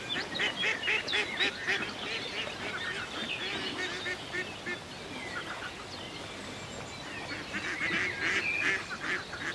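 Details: Ducks by a lake on a peaceful country day, gliding across the water: nasal harmonic quacks in quick clusters, repeated several times a second, mixed with high chirping from other birds over a steady outdoor background.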